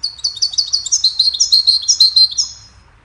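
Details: Goldfinch delivering an unbroken three-second phrase of rapid, bright chirps and jingling trills at a steady quick pace, trailing off at the end, used to teach songbirds a cheerful melody.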